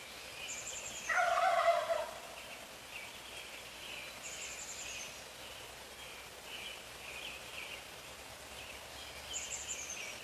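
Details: Dawn gobble from a wild turkey at 4:45 AM, recorded a few feet from the bird: a single burbling gobble near two seconds in, then distant high songbird phrases and soft trilled calls repeating in the background.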